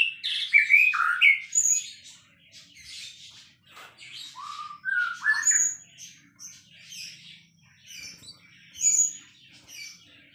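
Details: White-rumped shama, a singing bird kept as a champion songbird, giving varied song: quick slurred whistles and squawky notes at the start, then scattered rising and falling phrases with thin high whistles in between.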